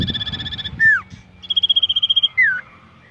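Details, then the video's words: Common iora kept as a contest bird and being trained: a rattling high trill, a falling slurred whistle, then a bright steady trill of tightly spaced notes ending in another downward whistle. "Melatih Mental Burung Cipoh ,Tes Mental Cipow Fighter"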